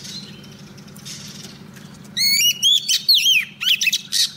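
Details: Oriental magpie-robin female used as a decoy, singing to attract a male for trapping; a quiet hum-filled start gives way to a two-second string of bright, slurred whistles that climb and fall.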